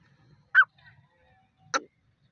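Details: A female grey francolin gives two short, harsh, rasping notes a bit over a second apart, with a faint low rumble behind.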